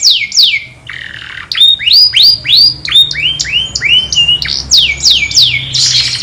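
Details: Canary described as a master singer, calling its friends and fighting; loud, high song of repeated downward-sweeping whistled notes, then a series of rising, upturned slurred notes at a fast rate, ending in quick descending sweeps.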